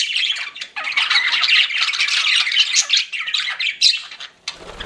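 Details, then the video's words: Pet budgies chirping in a dense, scratchy warble with short whistled notes, fading into quieter chatter and a soft low knock at the end. "CUTE PET BUDGIES CHIRPING"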